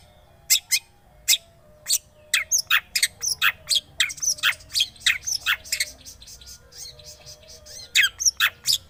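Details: Long-tailed shrike song played as a lure to start a silent bird singing: a quick, chattering series of harsh chips and squeaky twisting notes, varied and almost continuous.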